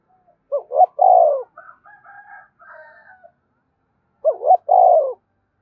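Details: Spotted dove 'gáy thúc' cooing to prompt captive birds to call along: a double-note and long falling coo phrase, then a run of soft twittering notes, then the same coo phrase again.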